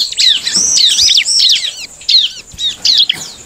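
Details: Bar-winged prinia song used to provoke rival prinias into singing: rapid, dense run of high, sharply descending whistled notes, loud and energetic, with brief pauses and faint low thumps.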